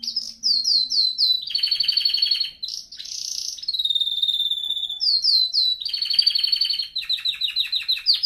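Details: Canary singing, recorded to train canaries: fast repeated downslurred notes, rattling tours, a long even whistle, then more rapid sweeping note series, loud and continuous.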